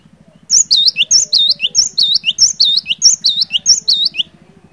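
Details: Cinereous tit in lively song, used to coax silent birds into singing: a rapid series of high whistled phrases, each a thin upper note followed by a dipping, U-shaped slurred note and a short lower note, with a steady low pulsing hum behind.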